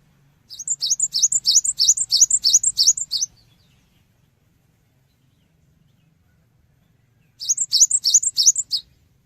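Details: Used as a lure for other birds, a cinereous tit delivers a long, fast series of about eleven ringing two-note phrases, then falls silent for four seconds before a shorter burst of the same phrases. Low background rumble.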